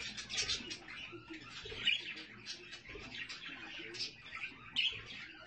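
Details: Budgerigars with their young: a soft, busy twittering with occasional louder, clipped chirps every second or two, the chatter rising and falling irregularly.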